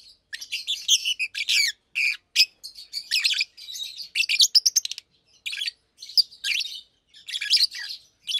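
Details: Daytime chatter of two adult Fischer's lovebirds, blue and pastel green, kept in cages: quick, piercing chirps and rattly stuttered notes in near-continuous bursts with brief breaks.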